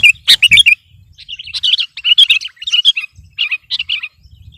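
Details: Gacor sooty-headed bulbul pressing a rival with song: a few loud clipped whistles followed by softer bubbling phrases of two or three notes with brief pauses.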